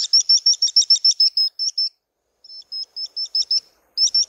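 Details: Chelidoptera tenebrosa, known in Brazil as urubuzinho: steady strings of high, piercing chirps about three or four per second, a brief pause, then the series resumes and builds again.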